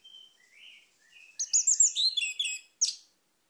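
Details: Orange-headed thrush: faint thin whistles open into a rich, rapid run of rising and falling warbled notes, then a single sharp closing note.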